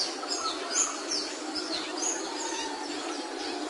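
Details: High, piercing whistled notes from a capuchino seedeater, some falling in pitch, repeated every second or so against a constant background hiss.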